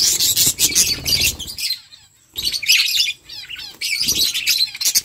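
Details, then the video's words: Feeding budgies in a flock chirp in loud, crowded bursts of high chatter, broken by a near-silent pause of about a second before the twittering resumes. "Beautiful budgies flocks birds chirping sounds budgie eating"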